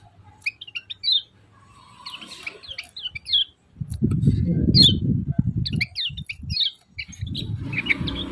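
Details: Yellow-vented bulbul, its 'ciak ciak' calls heard as clusters of short, sharp, high chirps scattered through the clip, partly overlapped by loud low rumbling and knocking noise in the middle and toward the end.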